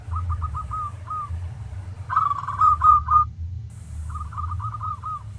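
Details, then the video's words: Local zebra dove singing, meant as a master for training other doves: fast trilled coo phrases, one louder and fuller in the middle, each closing on a stretched note, with a soft low rumble behind. "Masteran Tarik Perkutut lokal agar GACOR-Ampuh"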